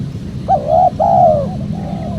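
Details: Wild-dove lure of spotted dove cooing: one clear two-part coo, a short rising note and then a longer falling hoot, followed by a faint drawn-out tail note, heard over a steady low hum.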